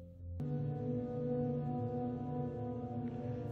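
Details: A sustained, resonant tone like a singing bowl or ambient music drone; no animal sound is heard.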